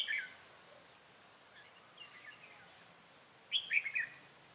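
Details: Red-whiskered bulbul decoy in Bình Phước, Vietnam, 25 June 2018: faint distant warbles followed by one loud, bubbling, whistled phrase near the end.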